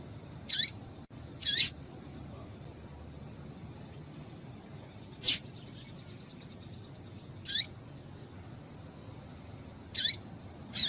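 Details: Female Double-collared seedeater call, used to stimulate males to sing: short, sharp, very high chirps with brief descending sweeps, about six spread irregularly over eleven seconds against a quiet low hiss.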